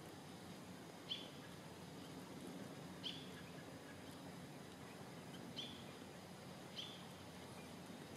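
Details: A White-breasted Nuthatch (Sitta carolinensis aculeata) at Pinnacles Campground, Pinnacles National Park, California, 8 March 2023, gives four brief, high, nasal notes spaced one to two seconds apart over a low rumble.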